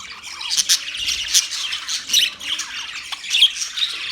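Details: Pet budgerigar chatter, busy and high-pitched, made of short scratchy squawks and quick chirps that pulse in loud bursts about every half second.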